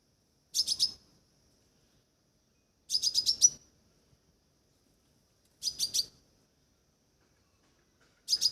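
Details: Crimson sunbird giving short bursts of four to six quick, thin, high-pitched chirps, repeated about every two and a half to three seconds, four bursts in all, with silence between them.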